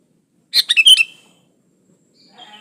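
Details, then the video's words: Short phrase of a sooty-headed bulbul singing vigorously, meant as a lure to get other bulbuls singing: four rapid liquid notes dropping in pitch, then near silence with a faint murmur. "Suara burung kutilang gacor Asli tanpa isian Ampuh buat pancingan kutilang gacor"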